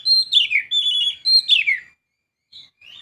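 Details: Clear whistled phrases from a young Oriental magpie-robin, two bright, falling, slightly buzzy sweeps, then a short pause and two soft notes.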